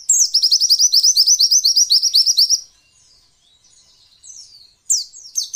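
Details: Female white-eye voice used to provoke male white-eyes into singing, as in the wild: a fast, even run of high, sharp chirped notes for about two and a half seconds, then near silence and a couple of brief high notes.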